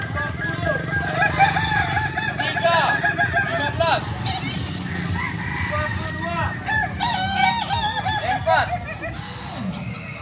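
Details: Several kukuak balenggek cocks crow together during a practice contest at AMKO, their drawn-out, warbling crows rising and falling in broken steps over a steady crowd murmur.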